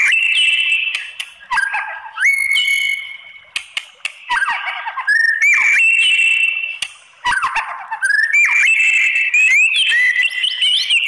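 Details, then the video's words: White-rumped shama song to provoke other shamas to answer: alternating bursts of rich whistles, upward-sweeping notes and harsh rasping phrases separated by short pauses, very loud and varied. "MURAI BATU APAPUN Jadi NYAUT NGELAWAN dan BONGKAR ISIAN ¦ PANCINGAN MURAI"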